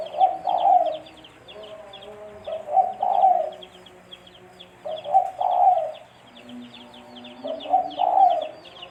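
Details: Repeated cooing of a spotted dove, a sound used to lure birds for trapping. Four soft, rounded coo phrases come every two to three seconds amid busy background chirping of small birds and faint tonal hums.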